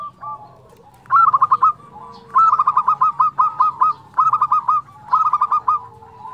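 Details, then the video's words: Local Zebra dove (perkutut) singing actively in the flute-like 'nyuling' style: four bursts of rapid, rolling cooed notes, each phrase opening with a higher note then stuttering in quick pulses, separated by brief pauses, a fainter dove cooing underneath. "perkutut lokal gacor suara nyuling"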